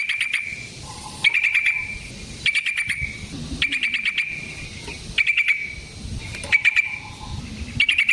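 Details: Yellow-vented bulbul in lively fighting-style song with long rolls, used as a lure to make other bulbuls respond and as a master tutor: bursts of rapid chattering notes every second or so, separated by short pauses, with faint low background rumble.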